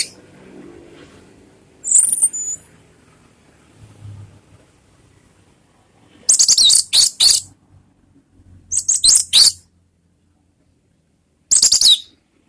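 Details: Orange-headed thrush song, used as a lure so other orange-headed thrushes answer: short, high, scratchy bursts of rapid chirping notes in separate phrases, with quiet gaps and a faint low hum between them.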